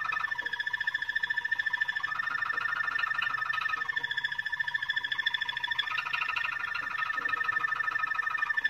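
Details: Long stretch of Moroccan Malinois canary song: a sustained pulsing trill on a steady pitch, with overlying tones that swell and dip in slow waves every few seconds, unbroken for over eight seconds.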